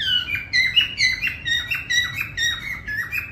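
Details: A parrot whistles a steady series of bright notes, each dipping then rising, repeated about twice a second throughout, with little else besides a faint low hum.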